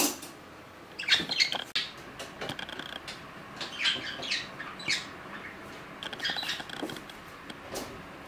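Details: Pet budgerigars, two of them four years old as of June 10. Soft, uneven twittering with scratchy chirps and clicks, quieter and more scattered, with a few louder squawks.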